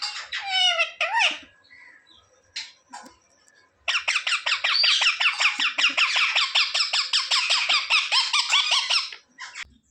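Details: Talking pet parrot that says "mummy" and "papa": a few bending harmonic calls, a short pause, then a long rapid chatter of raspy notes repeating about two or three per second for five seconds.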